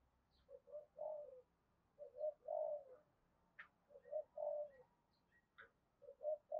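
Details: Spotted dove cooing continuously to call wild doves in: soft, mellow phrases of two or three notes repeat roughly every one and a half seconds over a faint background hiss, with a few brief higher chirps from other birds.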